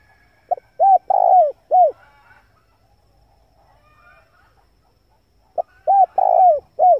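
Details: Male spotted dove calling to attract wild doves: a soft, hollow cooing phrase of a brief opening note, arched hoots and a drawn-out burred coo, repeated after a pause of about four seconds, with little background noise.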